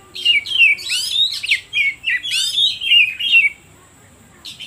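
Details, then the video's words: Oriental magpie-robin song used as a lure to stir rival birds into singing: loud, varied whistled phrases with rising sweeps and rolling notes. The phrases run steadily for about three and a half seconds, then pause before a brief final note. "Suara Pancingan Kacer Paling Ampuh || Bikin Burung lain Makin emosi"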